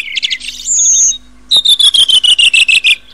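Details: Redwing song: a few quick high chirps and a short steady high whistle, then a loud fast series of about twelve clipped notes that step steadily downward in pitch over roughly one and a half seconds.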